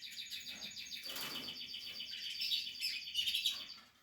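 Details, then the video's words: Nesting canary chicks of the Portuguese harlequin type, captive-bred, giving a continuous high squeaky chatter of overlapping chirps with a rustling burst midway. "canary chicks"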